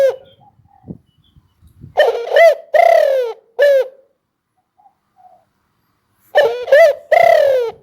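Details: Spotted dove giving clear, resonant coos in two phrases, each a clipped opening note, a long swelling coo and a short closing note, with a pause of almost three seconds between them.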